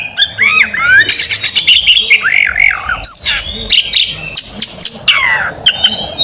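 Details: Champion caged magpie robin pouring out looping slurred whistles and scratchy chatter, then sharp clicks, a held high whistle and a long downward sweep, quick and varied.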